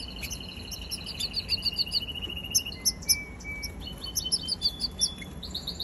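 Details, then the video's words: Young canary singing a series of short high chirps that speed into quick trilled runs, with a few thin sustained whistles in the middle and sparkling repeated notes near the end. "Baby canary"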